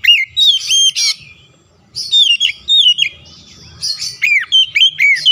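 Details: Agitated oriental magpie-robin answering a rival with loud song, unloading its full repertoire: bright whistles, looping slurred notes and a buzzy rattle, delivered in quick irregular bursts around a silent gap.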